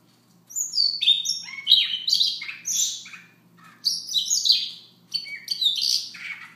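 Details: A Siberian rubythroat sings a soft morning song, a continuous run of varied high chirps, slurs and buzzy notes in two long phrases with a brief pause between, over a faint steady hum.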